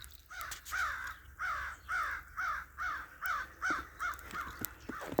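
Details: A crow gives a steady series of harsh, hoarse caws, roughly two each second, during a snowstorm near a chicken coop.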